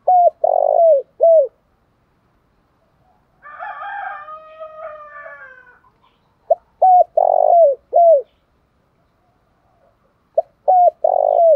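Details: Spotted dove cooing in the style known as "thổ pha đồng". Three phrases, each a short coo, a rolled purring middle note and a falling end note. A rooster crows loudly between the first and second phrases.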